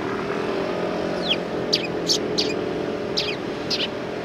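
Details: Sparrows coming to be fed, 8 September 2020: six short, high, sharp chirps spaced about half a second apart, some slurring downward, over a steady hum of traffic noise.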